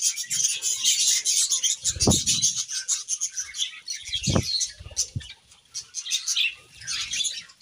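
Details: Pet budgerigars bathing and playing among wet leaves on a hot day, giving a continuous high, busy chatter of chirps, with occasional low splashing thumps and rustling.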